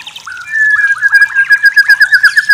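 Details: White-rumped shama song used as a tutor recording: a long run of rapid, rolling trills held near one pitch, pulsing about five times a second and getting louder after the start.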